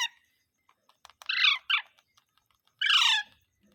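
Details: Parrot giving harsh, raspy calls: a brief burst at the start, two descending squawks around one and a half seconds, then a longer grating screech near three seconds, with quiet clicks between them indoors.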